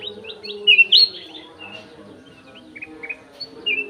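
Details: A golden-fronted leafbird held in an aviary sings a lively run of high whistled phrases, bright rising and falling slurs packed together, then softer chirps and a final loud whistle. A low steady hum runs beneath.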